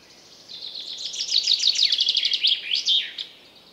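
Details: A single full chaffinch song phrase in woodland, about three seconds of rapid repeated chipping notes that speed up and descend, finishing with a louder terminal flourish; faint steady background hiss.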